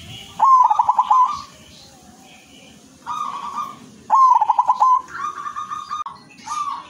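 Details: Silver-colored zebra dove singing twice in seven seconds, each phrase a loud burst of rapid pulsed coos, with gentler trilled coos following.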